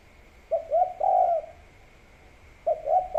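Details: A spotted dove gives its three-note cooing phrase, heard against a rice-field setting: soft, low, mellow coos of two short notes and a longer drawn-out one, then the phrase begins again, over a faint steady background hum.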